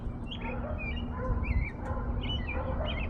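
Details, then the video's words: Small bird singing as spring approaches: short bright chirps and twittering phrases come every half second or so over a steady low rumble of background noise. "Sing little birdie, sing your heart out. ❤️ Spring is coming"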